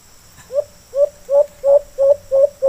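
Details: Wild white-eared brown dove calling in response to a kept bird: a series of seven short, mid-pitched hooting coos, each with a slight upward inflection, spaced about every 0.35 seconds, with a faint steady hum behind.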